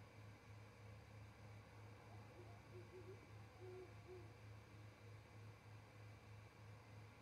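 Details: Great horned owl pair at an osprey nest platform in Charlo, Montana, at 07:25 after the male lands on the perch and his mate follows. A faint series of soft low hoots sits over a steady pulsing mechanical hum.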